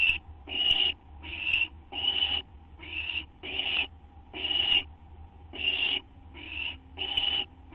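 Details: Nest of owls shortly after midnight, 6 September 2011, during a food delivery; rasping, hiss-like screeches come in quick succession, ten bursts within about eight seconds, with a constant low background hum.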